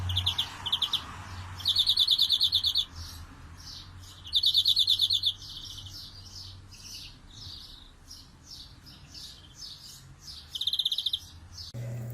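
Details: A European greenfinch sings bright, high trilled phrases, each a fast buzzy rattle of about a second, separated by softer twittering notes, over a low hum; the song motif is called 'dalında canalye makarası'.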